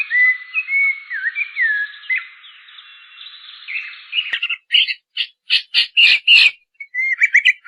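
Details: Wild bird singing in the wild: smooth whistled slurs and short rising notes, then a burst of loud, clipped chirps in quick succession, with a steady hiss behind the first half.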